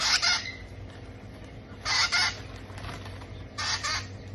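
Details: Young parrots being fed repeat short, harsh, double-pulsed squawks roughly every one and a half seconds, noisy and grating, over a constant low hum.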